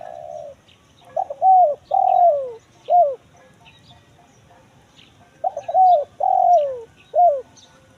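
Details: Spotted dove calling in the 'kuk 1 mersik' style, a lure for forest birds: two full phrases, each a quick stutter, two mellow downward-sliding coos and a short clipped final note, separated by a pause of about three seconds.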